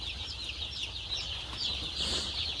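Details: Many chicks huddled in a box against the cold on a poultry farm: constant shrill cheeping from the crowd, rising into a brief louder cluster of peeps near the end over a steady low hum.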